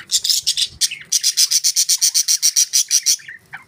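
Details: Budgerigar chirping at close range, dominated by a fast run of about fifteen evenly spaced, harsh high pulses, preceded by a brief rasping burst and a short warble.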